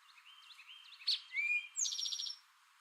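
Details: A male Eastern towhee gives one "drink your tea" phrase: a sharp high note, a smooth whistled middle note, then a quick, ringing, buzzy trill. Soft, high chirping from other birds runs underneath.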